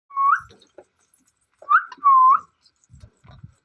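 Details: Parrot giving clear whistled notes, each sliding downward then rising sharply at the end, three phrases with short gaps, plus faint low rustling sounds near the end.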